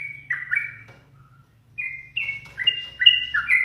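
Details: Caged yellow-vented bulbul, said to grow bolder and more vocal when teased by its owner, whistles liquid downward-slurred notes, pauses, then resumes with quick bubbly phrases over a low background hum.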